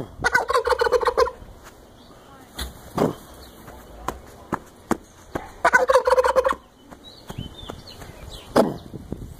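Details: Turkey strutting in a yard with feathers displayed gobbles twice, each a fast rattling burst about a second long, roughly five seconds apart, with sharp knocks and clicks in between.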